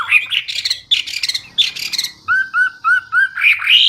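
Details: Hwamei singing a loud, clear, chatty song: busy scratchy bursts, then four clean downward whistles in a row, ending in a rising sweep.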